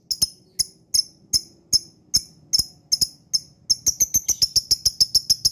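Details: Lovebird lure to set off other lovebirds: spaced, piercing high chirps, then a quicker burst of clipped chirps running together near the end.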